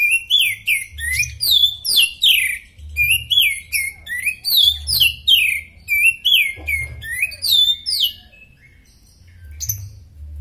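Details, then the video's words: Oriental magpie-robin, a fit caged bird used as a song tutor, pouring out rapid loud whistled and chattering phrases in repeated bursts, then a quieter pause with faint notes, low hum in the background. "Kacer superfit buat masteran mantap"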